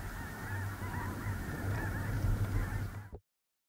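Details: Snow goose flock, large, resting on a small lake in central North Dakota in early November 2021, a thick wall of overlapping honks and yelps that stops abruptly near the end.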